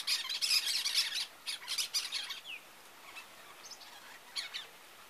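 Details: A pair of Cactus Parakeets calling together: harsh, high, squawky bursts in quick rough clusters through the first two and a half seconds, then a quieter gap with a few scattered screeches near the end.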